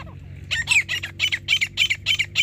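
Grey francolin giving harsh, scratchy high notes, about four a second in a steady run, over a faint low hum.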